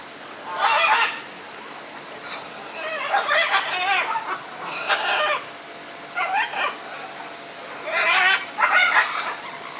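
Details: Red-and-green macaws trading views: loud, harsh, rasping screeches in clusters of two or three, each grating and broad, separated by short quiet gaps over about ten seconds.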